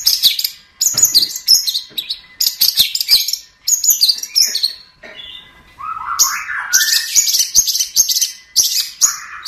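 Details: Cendet (long-tailed shrike) singing energetically: groups of high, scratchy chattering phrases, a pause, then lower, softer warbled notes building back into loud, harsh chatter.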